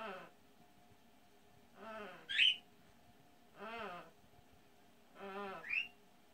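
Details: Parrot imitating human orgasm sounds: drawn-out, moaning wails that repeat about every one and a half to two seconds, two of them ending in a sharp rising whistle.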